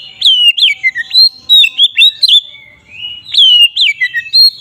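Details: Magpie-robin (Oriental) in "ngeplong" song, used to make other magpie-robins aggressive: a fluent string of loud whistled notes, some slurring downward and some rising, with a short quiet gap midway.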